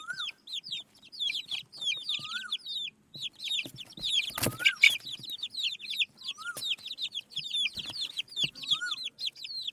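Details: A flock of desi chicken chicks eating rice gives dense, high, rapid peeps, many overlapping and falling in pitch, with a few lower chirps and soft pecking taps underneath.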